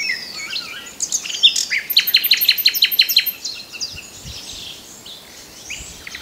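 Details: Song of a common nightingale: opening whistled phrases, then a run of about eight sharp repeated notes at a steady pace, trailing off into softer, scattered chirps with other birds faint in the background.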